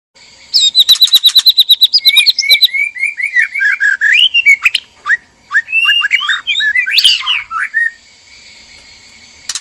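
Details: Male and female white-rumped shama in a captive breeding cage, calling to stir mating; a fast run of repeated high notes gives way to varied slurred whistles, rising and falling, with harsh bursts near the end.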